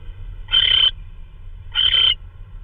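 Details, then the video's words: Owl bringing in prey, possibly a vole, in the early hours of 16 March 2013 on a live camera. Two harsh, raspy screeches with a thin whistled edge, about a second apart, over faint low-pitched hum. "Roy Delivers A Vole?"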